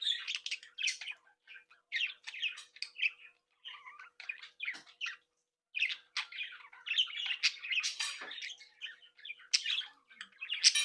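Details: Indoor breeding flock of budgerigars with young birds, chattering, tweeting and mimicking: steady stream of scratchy warbles and chirps, a short lull midway, then denser louder chatter with sharp squawks.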